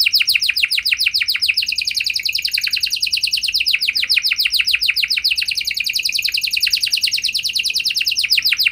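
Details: Steady, rapid canary trill used as a lure to get other canaries singing. Bright, high downward-slurred notes repeat several times a second without a break for the whole stretch.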